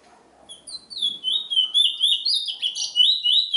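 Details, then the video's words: A chestnut-bellied seed finch, the Trinidad bullfinch, starts softly then builds into a lively warbled song of bright whistled slurs, rising and dipping in rapid succession. "Trinidad bullfinch MUSIC"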